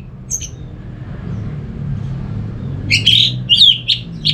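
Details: Orange-headed thrush in North Bali, a lure for other thrushes: after a faint early note and a long near-silence, a rapid burst of bright, jumbled chirps and whistles closes the clip against a low hum.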